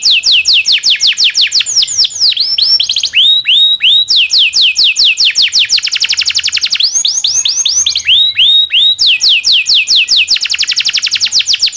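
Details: Long local canary song with rolls, a tutor recording for white-rumped shama and similar songbirds: alternating runs of quick falling whistles and rising notes, continuous and bright throughout.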